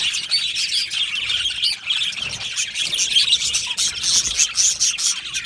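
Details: An Australian budgie colony chattering in its aviary, with bright, fluttering warbles and squeaky chirps layered densely, growing slightly louder toward the end.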